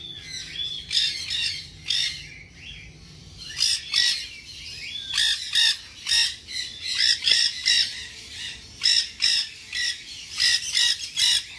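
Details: Tame-sized, ringed baby nanday conure at a pet shop in Bangabazar market, giving harsh, raspy squawks in irregular bursts, roughly one every second or two, with short gaps between groups.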